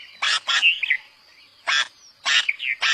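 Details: Red-vented bulbul giving harsh, broadband chattering notes in short bursts, two close together, a pause, then two more, with thin whistled tones faintly between them.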